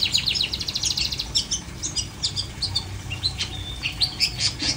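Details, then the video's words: Caged long-tailed shrike, uncovered, giving a rapid jumble of high, harsh chips and short squeaky notes in irregular bursts, with brief pauses between clusters; constant low hum in the background. "Cendet No Salto - No Kerodong"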